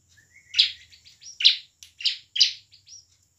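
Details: Bar-winged prinia singing gacor as a lure for silent birds; four loud rasping notes spaced roughly half a second apart, with soft twittering and a thin whistle between them over faint low hum.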